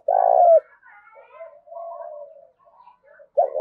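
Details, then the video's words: Spotted dove in a territorial contest, a fresh wild-caught bird with a thổ-đồng blended voice: one strong low coo ending in a downward slide, then soft drawn-out murmurs, and another loud coo beginning. "Tiếng chim cu gáy thúc Đấu cực gắt giọng thổ pha đồng bổi"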